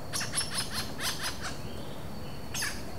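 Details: Interaction calls of a pair of Robust Woodpeckers in the wild at Vargem Grande Paulista, São Paulo, Brazil, April 2023, recorded on a Zoom H4n without playback: a quick run of about eight high, harsh squeaky notes, then one more after a pause.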